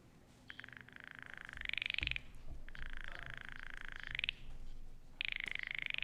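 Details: At night, two or three metres from a boat, a Baillon's Crake sings three dry, frog-like rattles, each about 1.5 seconds of rapid clicking pulses rising slightly in pitch at the end, easily mistaken for a frog, over a low hum.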